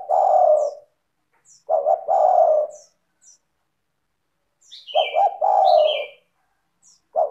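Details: Spotted dove lure song to get other doves singing: four deep, melodious phrases, each a pair of short notes leading into a long gently falling coo, with faint high chirps and whistles from another small bird in the background.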